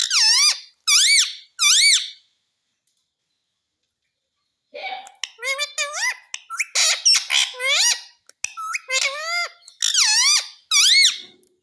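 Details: Pet parrot saying "mummy mummy": three rising-falling squawked syllables, a pause, then a long chatter of bent, speech-like harmonic calls in quick succession.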